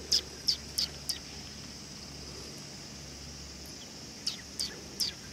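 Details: At a Tenmangu shrine on 18 August 2020, sparrows coming to be fed give four quick high chirps, a three-second pause, then three more, over a steady high drone and low background hum.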